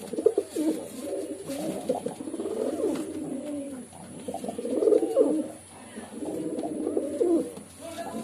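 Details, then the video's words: Low, gurgling pigeon coos in overlapping phrases about a second or two long, rising and falling in loudness with short pauses between them. "Pigeon Sound || Different Different Pigeon Sound effect"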